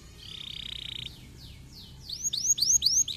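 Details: Canary song played to stimulate lazy canaries to sing: a soft buzzy held note, then a few quiet downward sweeps, building into a louder tour of high arched whistles repeated about four times a second.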